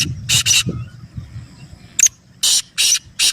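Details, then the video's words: Harsh grating notes of a black francolin (kala teetar). A pair of scratchy bursts opens, then after a pause comes one short note and three evenly spaced rasping notes. Soft low background hum. "یہ آواز کالا تیتر کی سپیڈ بڑھائے اور بے ڈر بنائے | Black Teetar Voice For Speed & Fearless Calling"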